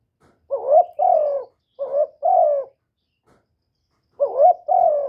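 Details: Spotted dove calling and cooing, recorded directly with no background noise: three soft two-part phrases, each a twisting first note and a drawn-out, slowly falling coo, the third arriving after a pause of over a second.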